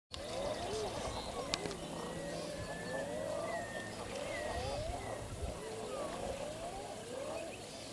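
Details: Flock of common eiders calling, rising crooning 'ah-OO' notes repeated about every half second, overlapping from several birds, over steady background noise and a brief click.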